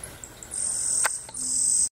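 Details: Yellow-browed Sparrow in a home garden: a few faint, very high ticks, then two long, thin, insect-like buzzes separated by a short gap, with a single sharp click between them.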